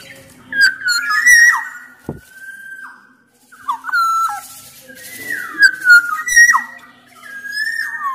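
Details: Black-naped oriole from Sumbawa singing loudly, a lure recording meant to prompt other orioles to sing: fluty, slurred whistles with sliding, dipping notes in phrases, plus a harsh nasal note near the end.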